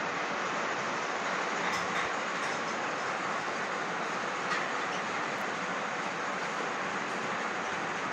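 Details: A loud, even roar like a passing train covers the recording, with no animal calls heard.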